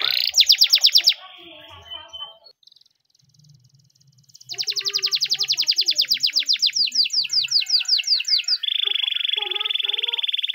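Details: Spanish Timbrado canary in training song: fast rattling notes, a pause of near silence, then a long rapid series of sweeping chirps speeding into a steady ringing metallic trill.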